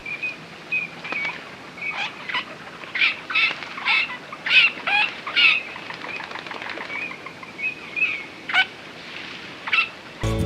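Eurasian Teal giving short, high, piping whistled notes, repeated irregularly about every half second, with several birds overlapping as in a small flock.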